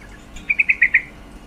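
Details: Short female yellow-vented bulbul call meant to excite males: five loud, clipped notes in quick succession.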